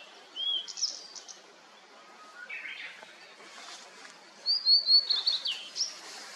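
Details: Blue-and-white flycatcher sings in a fog-covered mountain after rain, with other small birds calling. A few clear, high whistled phrases, then a louder run of bright slurred notes near the end, over a soft background hiss.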